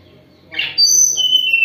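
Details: Hill blue flycatcher in moult yet still singing freely: a short sweet whistled phrase, a brief burst followed by a long clear high note that slides down and levels off, over a quiet background.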